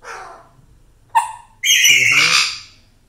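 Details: Pet African grey parrot that talks in Urdu gives a brief faint note, then a loud harsh rasping squawk lasting over a second, with a person speaking around it.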